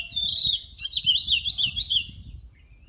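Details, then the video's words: Lively oriental magpie-robin song, a voice-training recording: one sustained whistle leads into a fast string of looping, warbling notes, with a soft low rumble in the background. "Luyện giọng chòe than HÓT HAY || Kích chòe than hót căng lửa || Suara Burung Kacer Gacor 2023"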